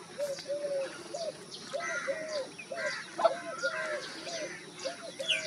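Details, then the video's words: Wild dove giving a steady series of short, hollow coos at even spacing throughout, while other birds add louder, higher calls in the middle and light outdoor background noise runs underneath. "Wild dove bird sound effects in 2023, Dove cooing"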